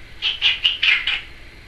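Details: A pet Timneh African grey parrot says "trick or treat" in five quick, high, raspy syllables over about a second, in a quiet room.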